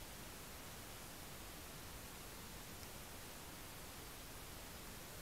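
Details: Only a faint, steady hiss of background noise fills the recording, with no animal calls heard.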